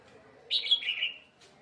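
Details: Red-whiskered bulbul during a fight near a trap: a single brief whistled phrase, bright and slightly wavering, falling gently at the end.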